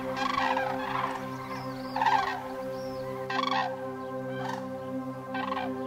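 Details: Migrating cranes passing overhead, bursts of bugling calls about every second, with quieter gaps between, set against a soft sustained music bed.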